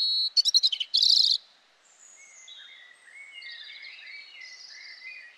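European robin singing a burst of loud twittering notes, then thin, high, liquid warbled phrases.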